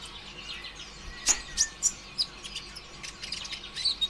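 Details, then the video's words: Green kolibri ninja sunbird singing to provoke other birds: scattered sharp high chirps and short twitters at irregular intervals over a light background hiss. "PANCINGAN ampuh suara konin ijoan KONSLET"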